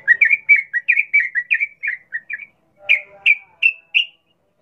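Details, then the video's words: Sooty-headed bulbul in wild-style 'ngalas ropel' song, used to prompt captive bulbuls to sing: a quick run of short bright chirping notes, a brief pause, then four louder spaced whistled notes, with a faint lower hum. "Trucukan gacor NGALAS ropel Khas alam liar ini ampuh untuk pancingan trucukan agar bunyi GACOR"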